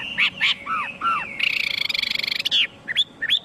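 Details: Chinese hwamei song mixing short arched whistles with a fast, rattling trill of evenly spaced notes, then brief rising whistled notes at the end.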